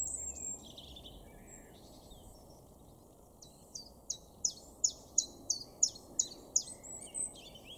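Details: Common chiffchaff singing in a garden in Weener, East Frisia, far northwestern Germany, April 2023. After faint high notes, about ten crisp, evenly spaced chipping notes follow at roughly three per second.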